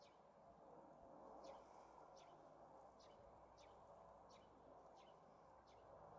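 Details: Flock of about 30 Asian rosy finches feeding on Amur cork tree fruit in strong wind, March 2024; short, high, dropping chirps about every 0.7 seconds, half-buried under steady roaring wind.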